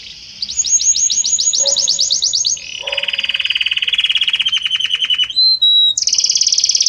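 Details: Singing Belgian canary, its harmonious song moving gradually from one note to another: a series of rising chirps, a long rapid rolling trill lower down, then a pure whistle and a high buzzy ending.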